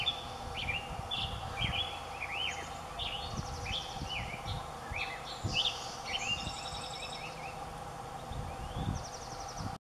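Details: Adult male Black-headed Grosbeak singing from a tall willow over Moraga Creek, Moraga, California, 29 April 2016: rich, rolling warbled rising and falling phrases, with thinner high notes from another bird and low wind rumble.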